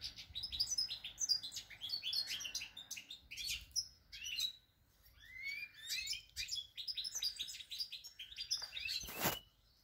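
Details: European goldfinch song, dated 8 February 2020: dense, fast twittering of bright tinkling and buzzy notes in bursts, with brief pauses between phrases and a sharp broadband click near the end.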